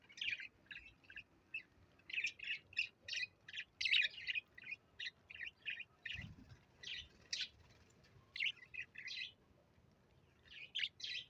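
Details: Parrot described as talking and playing tricks, giving a long run of short, high, scratchy chirps and chattering syllables in quick bursts, with brief pauses between phrases and a quiet background.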